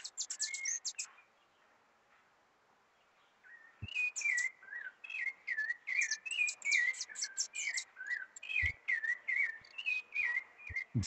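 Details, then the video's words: Rufous-bellied thrush singing from an orange tree at the back of a yard, welcoming spring on its first Sunday. After a short pause, clear whistled phrases repeat about once a second with high sharp notes mixed in. "Sabia cantando com a chegada da primavera"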